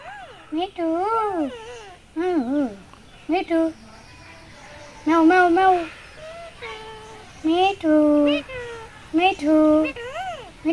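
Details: Pet Indian ringneck parakeet talking in Bangladesh, 24 November 2023: a run of short, nasal, speech-like phrases with wavering, bending pitch, in bursts of about a second with brief pauses between, over a quiet background.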